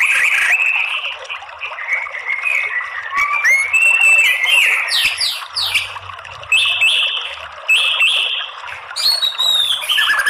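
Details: Lure song of a white-rumped shama meant to trigger fighting song in males: fast, varied phrases of whistles, downslurred chirps and rapid notes, about three per second, loud and continuous.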